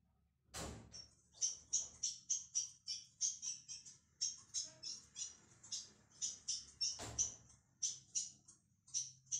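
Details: Caged young ultramarine grosbeak in song training gives rapid, high chipping notes, roughly three a second, broken by two loud thumps.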